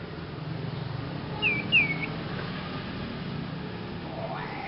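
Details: A pair of brief, bright whistles from a young Sirpu still learning its song, said to sound strange; both notes dip slightly, set against a constant low drone.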